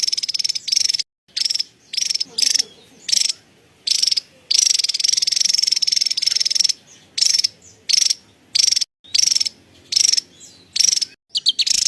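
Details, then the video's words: Rapid high chattering bursts of a Javan tesia's cerecetan, some short and some drawn out into longer buzzy rattles, separated by brief silences. "SUARA CERECETAN TESIA JAWA"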